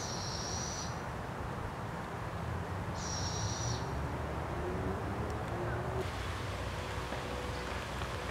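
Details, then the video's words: A family of Barred Owls in British Columbia, Canada: two high, hissing screeches about three seconds apart, then a faint, lower wavering call, over steady background rumble. "Barred Owl family"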